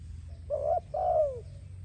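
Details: Spotted dove singing, offered for training and attracting doves: two low cooing notes, a short one followed by a longer drawn-out coo that slides downward, over a faint low rumble.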